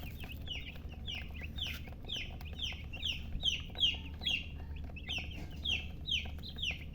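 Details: Chicken chicks chirping, loud downward-sliding peeps about twice a second, bright and clear above a quiet low hum.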